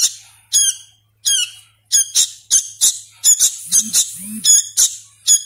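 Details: Hand-reared young sooty-headed bulbul, still learning to call, giving shrill buzzy squeaks, at first spaced out and then quickening into clustered pairs, with two soft low squeaky sounds in the background midway.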